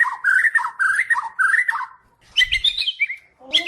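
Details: White-crowned shama singing, for training other birds: a string of quick warbled whistled notes, then a pause and a rising chattering phrase ending in a short whistle.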